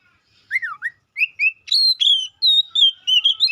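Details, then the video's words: White-rumped shama song opening with lower looping whistles, then a climbing series of clear, drawn-out high whistles and brief trills, phrases spaced a fraction of a second apart. "Dengar kicauan Kacer satu ini dijamin langsung nyaut Kacer manapun"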